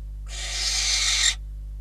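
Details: Barn owl at its Catalonian nest on 12 December 2021, as a bird and then a rodent arrive as food: one steady, noisy hissing screech of about a second, slightly quieter than the others.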